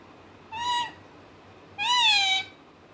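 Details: Pet parrot, said to be talking, gives two drawn-out harmonic calls, a short one then a longer, louder one, each level then gently falling, like a meow-like utterance; quiet indoor background.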